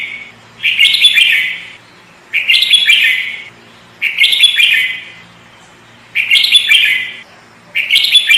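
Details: Sooty-headed bulbul (kutilang) singing as a lure: the same bright, chattering phrase of about a second is repeated five times, with gaps of roughly half a second to a second.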